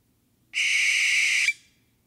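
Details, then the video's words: Owl giving one sustained, harsh, high-pitched screech about a second long, steady in pitch and loudness, then ending abruptly against a silent background. "The Distinctive Calls of Owls"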